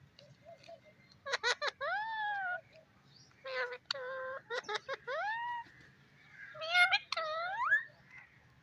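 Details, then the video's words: Talking parrot, known locally as mian mitho, producing speech-like harmonic phrases with rising and falling tones in three bursts separated by short pauses, plus sharp clicking notes; quiet low hum underneath. "talking parrot"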